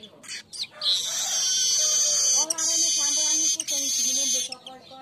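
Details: Weaver lure and master song for training birds: a few short buzzy notes, then a long unbroken sizzling trill with two tiny gaps, soft lower chirps beneath.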